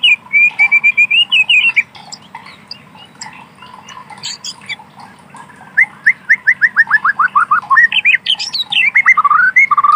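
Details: In wild natural forest, a white-rumped shama sings a sustained whistled phrase, pauses, then a rapid series of repeated descending whistles ending in looping varied notes, with quiet low background noise.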